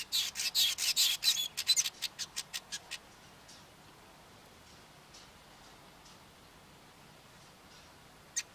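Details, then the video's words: Harsh, buzzy churring notes from a singing male Cape weaver come fast at first, then slow into spaced sizzles over about three seconds, followed by near silence and one last sharp note. "Cape Weaver male singing"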